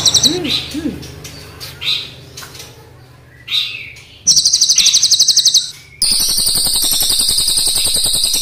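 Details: Crested jay, black and brown forms, showing off long rolls: a few soft chirps and thin rising notes, then a loud high pulsed rattle of about one and a half seconds, a pause, and another sustained buzzing roll.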